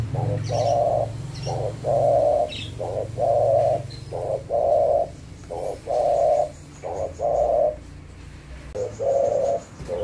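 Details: Spotted dove (tekukur) cooing: a steady run of low, hollow coo notes, some short and some drawn out, grouped in twos and threes with short gaps, continuing throughout against a faint low hum.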